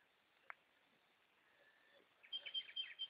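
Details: Goldfinches singing at night: a brief burst of quick, bright twittering notes near the end, preceded by a single sharp click and a faint drawn-out tone, over a soft steady hiss.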